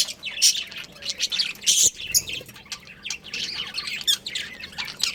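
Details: Budgerigar colony including a breeding pair, several caged birds giving rapid high chirps and harsher squawks in quick overlapping bursts.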